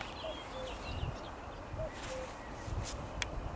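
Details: Two falling cu-coo calls from a common cuckoo recorded on 12.05.2021, spaced about one and a half seconds apart, with scattered songbird notes and low thudding footstep-like sounds.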